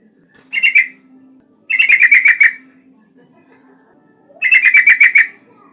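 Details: Yellow-vented bulbul singing actively, used as a lure to prompt other bulbuls to sing: three bursts of rapid, bubbly chattering notes, each under a second long, separated by pauses, over a faint low steady hum.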